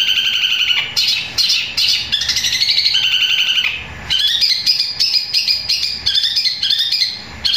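Long-tailed shrike in a loud, unbroken song of high chattering, squeaky and harsh notes, run together quickly with sparrow-like chirps worked in.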